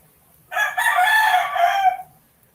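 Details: A rooster at late night or early morning gives one hoarse, harmonic crow of about a second and a half: a short opening note, then a long sustained phrase that cuts off abruptly. The background is quiet.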